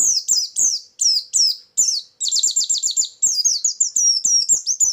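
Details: White-eye lure song, full and lively: strong downslurred high chirps, then a fast burst of rapid trilled notes, followed by more repeated swooping whistles without pause.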